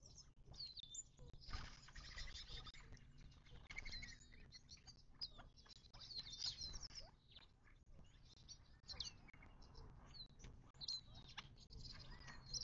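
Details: Mixed desert birds at a watering hole in the western Mojave Desert of southern California, near Joshua Tree National Park; many short, high chirps and twitters overlap, with fluttering and soft rustling sounds throughout.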